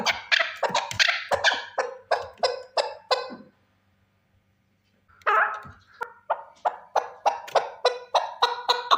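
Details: One male chukar partridge delivering a fast series of harsh chuck notes, several per second, then breaking off for about one and a half seconds before resuming the same rapid, rhythmic cackle.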